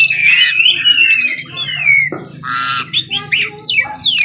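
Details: Jalak suren or Asian pied starling singing in the morning: a long descending whistle, then a burst of buzzy, metallic chatter and quick sliding notes, with a faint low hum behind.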